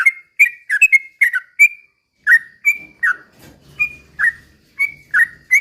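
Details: Sooty-headed bulbul singing to goad other birds into song; crisp whistled notes, some in quick pairs, slowing to single rising whistles, with a faint low rumbling noise midway.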